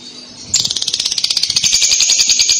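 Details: Paud lovebird answering a recording with kekek chatter: half a second of quiet, then a sudden burst of rapid, shrill, rattling buzzy notes continuing to the end.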